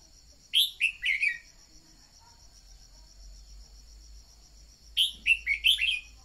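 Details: Song of a decoy red-whiskered bulbul, used to excite freshly caught birds into singing. Two rollicking phrases of four to five slurred whistles, about four seconds apart, with a steady insect buzz in the background.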